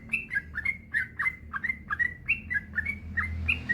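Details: Song of a yellow-vented bulbul, used as a master recording to coax other bulbuls into singing: a string of short, liquid, down-slurred chirps at an even fast pace, with faint low background noise.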